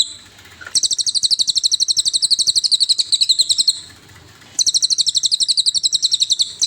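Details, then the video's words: Training master of the cililin bird's song: after a moment of quiet, a fast series of sharp, high, evenly repeated chirps, then a pause, then another matching burst. "MASTERAN 100%SUARA BURUNG CILILIN"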